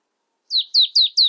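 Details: Marsh tit (Poecile palustris), call.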